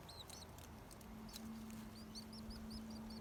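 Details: Nestling birds in a nest built in a tree at a home, calling with rapid, thin, high peeps that come in quick bursts, often doubled or tripled, over a steady low hum and faint background noise.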